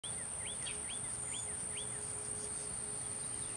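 Scaly-breasted munia giving a quick run of five thin, curling whistled notes in the first second and a half, over a steady high insect whine and a low hum.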